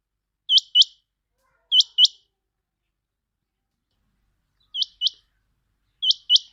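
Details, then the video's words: Quail call used for trapping: four crisp pairs of high, hooked notes, with the first two pairs close together, a pause of nearly three seconds, then two more pairs. "Batair ki awaz"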